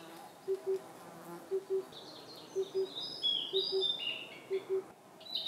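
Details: Blue-and-white flycatcher singing in Khingan State Nature Reserve, Amur region, Russian Far East, at the northwestern edge of its range. Its high whistled phrases sit among repeated low doubled hoots of an oriental cuckoo.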